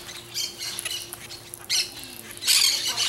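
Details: Peach-fronted parakeet (Eupsittula aurea): harsh, grating screeches in three bursts, the last loudest and longest, over a faint steady hum.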